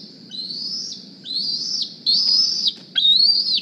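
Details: Young wild bald eagle hatched April 2020, wearing a GPS transmitter, flies to its Decorah nest in the morning squeeing for a meal. Four high, thin, whistled squeals, each slightly rising then dropping, about one per second. Soft low background rumble.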